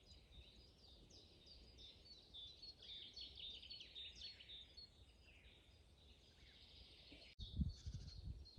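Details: Several birds singing in a spring forest, meditation soundscape: faint, dense high chirps and twitters overlapping throughout, steady low rumble beneath, a brief dropout near the end followed by a louder low thump.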